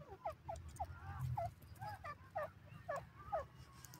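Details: Grey francolin, locally called dakhni teetar; a loud run of sharp, upward-hooked notes repeated about every half second, with low background rumble.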